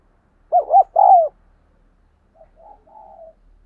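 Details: Spotted dove's thúc gù coo, used to train decoy doves and attract wild ones. One strong phrase, a quick double hoot and a held coo, is followed by a run of faint, low murmuring coos.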